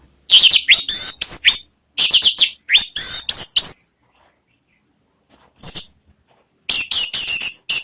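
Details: Orange-headed thrush singing a lure song meant to draw pet birds into full voice: loud, fast runs of high twittering and whistled notes in three bursts, a short rising squeak, then another rapid chattering phrase.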